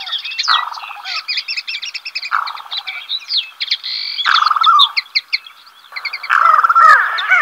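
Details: Black-bellied sandgrouse pair on waste ground at El Lote, Spain, early July; several deep, bubbling churrs follow one another, overlapped by lively, dense chirping and twittering from other birds.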